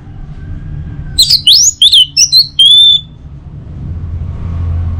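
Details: Orange-headed thrush song, meant to lure other birds into singing in the morning: one short burst of quick slurred whistles ending on a level held whistle, surrounded by quiet low rumble.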